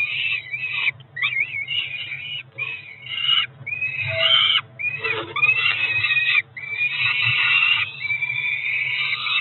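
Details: Two Peregrine falcon nestlings, about four weeks old, at a Cromer nest camera in June 2023, begging at breakfast with a jumble of wavering whistles and grating screams, calling almost continuously.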